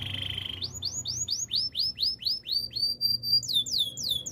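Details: Singing domestic canary, song used for training young birds: a brief low rolling note, then a steady series of about fifteen downward-swept whistled notes, closing with quicker high sweeping notes.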